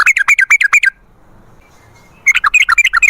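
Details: Sooty-headed bulbul lure song: two quick bursts of bright, bubbling chirps about a second long, separated by a quiet pause with faint background hiss.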